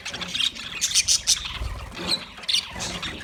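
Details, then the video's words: Budgerigars calling in uneven bursts of high chirps and squawks separated by short lulls, with faint low knocks in the background. "Parrot Calling sounds, Parrot sound video , Natural Budgie Parrot video , Birds chirping sounds"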